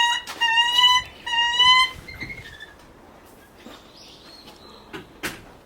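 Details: Captive Lanner falcon at a bird park, calling for a keeper's attention, gives two drawn-out, nasal whining calls, each nearly a second long, then a few shorter notes, with faint clicks and knocks behind.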